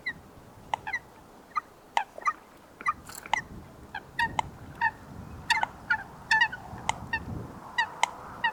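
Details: Coot in its natural wetland habitat giving short, sharp, nasal call notes with bright overtones, singly or in quick clusters of two or three, repeated irregularly through the recording over a low rumbling background.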